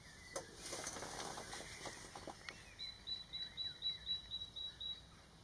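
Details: Kingfisher calling to its mate, captured with a Nikon D500 and 300mm f/4 lens: after a few clicks and rustles, a quick series of thin, high piping notes, about four per second, for two seconds.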